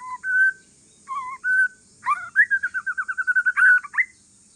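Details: Calm song of a wild-stock white-rumped shama from the Aceh forest, used to prompt other shamas to answer: clear whistled phrases, then a fast run of about a dozen repeated notes ending in a rising whistle, over steady high hiss.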